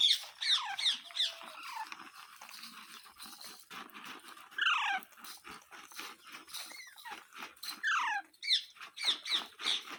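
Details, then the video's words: Parrot, kept as a pet, giving loud harsh calls that slide downward in pitch, repeated in quick bursts at the start, middle and end, with quieter scratchy sounds between them. "Parrot Sounds Videos Compilation | Mitthu Mitthu Parrot Sounds | मिट्ठू मिट्ठू |Funny parrot sound"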